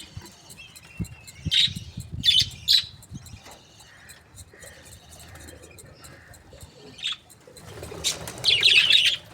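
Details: Budgerigars, breeding pairs described as happy, chirping: loud, scratchy chirps in short bursts near one and a half to three seconds, a lone chirp around seven seconds, then a rapid warbling chatter toward the end, over faint ticking and low background rumble.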